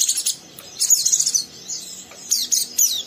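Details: Young oriental white-eye stimulating an untrained companion with harsh ngeriwik twittering; two brief bursts of very high, buzzy chirps with a quiet lull between.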